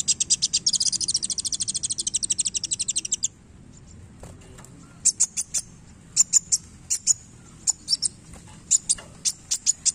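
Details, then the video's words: Sunbird (kolibri wulung) singing actively with tail-flicking display: a fast, high, buzzy trill of closely spaced pulses for about three seconds, then a pause followed by sparse sharp high chips, some paired. "KOLIBRI WULUNG GACOR Main Ekor"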